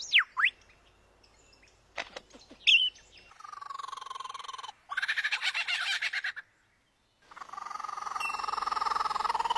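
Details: Bird giving varied strange sounds, fairly quiet: two quick whistled sweeps, a few clicks, then long buzzy, rasping stretches separated by a silent gap.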